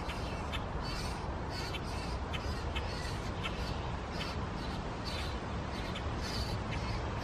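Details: Common grackle chicks being fed in Framingham on 9 June 2016 give harsh, raspy begging calls about twice a second, over a steady roar of wind or low rumbling.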